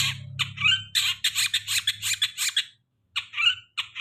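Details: Long-tailed shrike lure for birds past their moult: a run of rapid, harsh rasping notes, a short silence, then squeaky calls, with a low humming drone early on.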